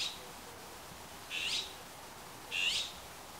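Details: Azure-winged magpie calling from a Himalayan cedar, giving its harsh, rasping ground call, each call about a third of a second and repeated roughly once a second, over a quiet background.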